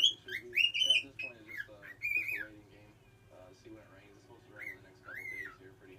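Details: Pet cockatiel learning to whistle: short clear whistled notes, some rising and falling, in bursts during the first half and again near the end, with a low steady hum underneath.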